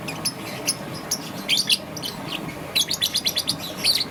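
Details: Young green-and-yellow peach-faced lovebird chirping in the morning: a few soft chirps, then a quick rhythmic series of bright, high chirps near the end.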